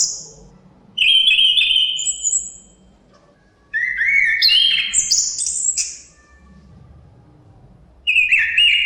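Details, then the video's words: Chestnut-capped thrush song with wind in the background: bright whistled phrases, high and varied, mixing slurred notes and quick trills in three bursts separated by short pauses, over a faint low rumble. "Suara Kicauan Burung Terapi Anis Kembang Ada Suara Angin"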